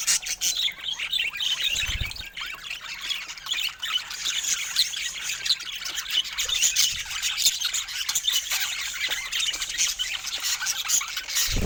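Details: Colorful budgerigars in dense, continuous warbling chatter full of harsh squawks and squeaks, with occasional low thumps.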